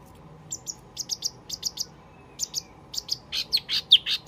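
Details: Wambi lure call made of brisk, very high ticking chirps, first in pairs and triplets, then a faster run of louder, fuller notes toward the end.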